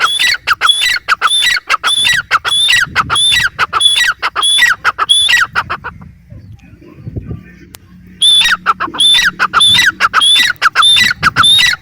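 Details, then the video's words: Grey francolin (teetar) calling in a rapid series of loud, piercing, rising whistled notes with rasping edges. A two-second pause with a faint click midway, then the series resumes. "teetar ki boli | teetar ki awaaz | francolin voice | Partridge sound"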